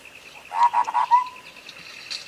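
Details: Clear-voiced sooty-headed bulbul for prompting a reluctant singer: four rapid bubbly notes followed by a drawn-out, gently falling whistle, set against a steady rhythmic high buzz.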